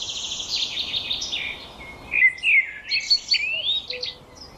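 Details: Birdsong: a fast, high buzzy trill that slides downward, then a varied run of clear whistled notes, sharp chirps and warbled phrases, with a faint low tone near the end.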